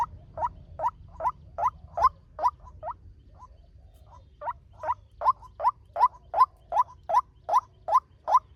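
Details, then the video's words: Fast lure call of a male white-breasted waterhen, used for trapping or training birds: a steady series of short throaty notes, about two to three a second, with a brief pause midway before the rhythm resumes. Low background hum. "Tiếng chim quốc trống mồi tốc độ"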